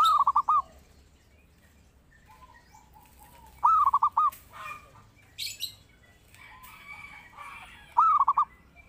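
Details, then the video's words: A zebra dove sings a master call meant to train or lure other birds. It gives short phrases of four or five quick, mellow coos, repeated three times about four seconds apart, with faint background noise and a brief click. "Pancingan Burung Perkutut Gacor"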